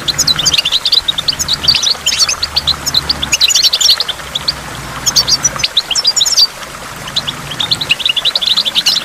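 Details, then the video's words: By a waterfall, goldfinch twittering comes in energetic bursts of bright, high chirps and jingling notes, with short lulls between phrases and a faint low rumble in the background. "in the waterfall stimulates goldfinch and water drops"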